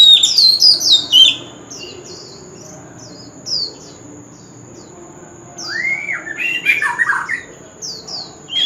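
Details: Male White-rumped shama in competitive fighting song, forest-style voice, singing nonstop: bright whistled phrases with quick descending slurs open and close the passage, separated by short high chips, over a steady thin high tone.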